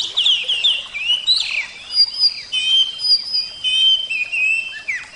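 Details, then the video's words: Oriental magpie-robin in full song, pouring out fast chattering trills that give way to clear, drawn-out high whistles and downward slurs, each phrase separated by brief gaps. "terapi kacer suara air"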